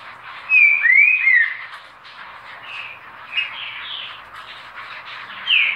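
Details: Green-winged saltator delivering one strong phrase of clear, downslurred whistles, followed by softer, shorter whistled notes and a final rising note, with constant background hiss.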